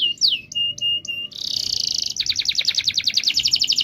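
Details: Singing canary, meant to encourage mute canaries to sing: a few separate chirps and slurred whistles, then a sustained high buzzy roll breaking into a fast pulsed trill of many notes per second.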